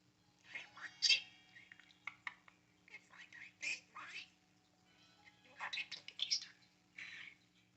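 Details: An excited pet parakeet named Mochi chatters in rapid, high, whispery bursts of mimicked speech with brief pauses between phrases while moving, jumping and tail-flapping, over a faint steady hum.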